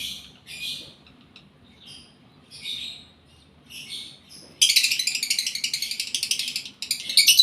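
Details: Lovebird in breeding condition, caged: a few soft, spaced raspy chirps, then a sudden loud, dense stream of fast buzzy chirping to the end.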